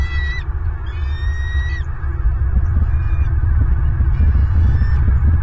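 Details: Bald eagle recorded by a nest camera in Southwest Florida on 24 January 2023 at 09:41: two clear bursts of high, stacked chittering notes, then fainter squeaks under strong, steady wind roar.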